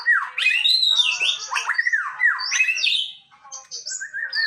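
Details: Energetic song of a male white-rumped shama: loud swooping whistles rising and falling in arcs, mixed with rapid buzzy trills and ending in high sliding notes.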